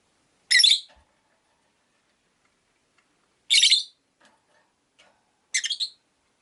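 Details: A rosy-faced lovebird, one of five kept in a cage by a window, gives three shrill, harsh chirps about every two to three seconds in an otherwise quiet room.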